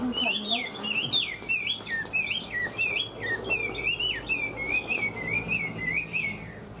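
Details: Chinese hwamei, tame and called a good fighter, singing 'ngũ trường' five-phase song: a long, continuous series of quick looping whistles, repeated several times per second and easing into smoother wavering notes.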